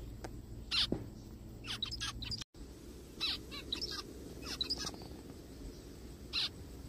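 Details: Short nasal, honking zebra finch calls in a forest, given singly and in small groups spread across the stretch, over a low droning background with one brief gap of silence.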